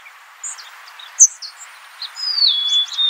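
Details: Scattered high chirps and a sharp note, then a golden-crowned sparrow's drawn-out whistle dropping to a lower held tone, against faint hiss.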